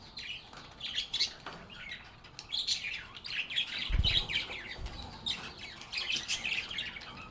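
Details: Several cheerful budgies sing and chat with one another in a calm environment. A continuous stream of bright warbling and quick chirps is broken by two soft low bumps.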